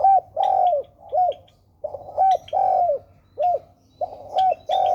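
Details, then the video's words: Spotted dove cooing: mellow, arched coo notes delivered in short clustered phrases with brief pauses between, plus faint high chirps in the background. "most beautiful fancy Spotted"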